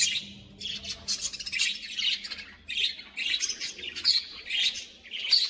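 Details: Several caged budgerigars in a colony chirp and squawk continuously, bright scratchy notes overlapping in quick uneven bursts.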